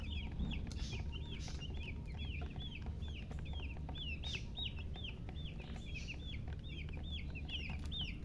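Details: Chicks of a hen chirping busily: clear, high peeps that rise then drop sharply, repeated rapidly and evenly with no pause, while a low steady rumble runs underneath.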